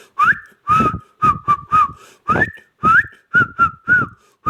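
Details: Ringneck parrot from Pakistan talking: a rapid run of short syllable bursts, each carrying a clear whistled tone that rises or holds level, with about nine bursts in under five seconds, indoors.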